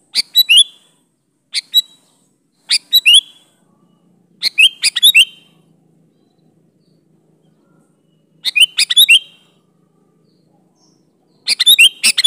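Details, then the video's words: Lure recording of a sooty-headed bulbul in full lively song with natural fill-ins, used to make other bulbuls reply. Quick chirpy three-to-five-note whistled phrases come in bursts with irregular pauses and a quiet low hum beneath. "Variasi Suara burung Kutilang Gacor Full isian Alam di Jamin cocok buat pancingan kutilang"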